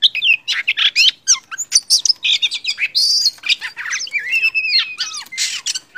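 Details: Wild-caught Oriental magpie-robin, used to coax silent birds into singing, in rapid, varied song: sharp high whistles, squeaky notes and rising and falling slurs delivered in quick, continuous bursts.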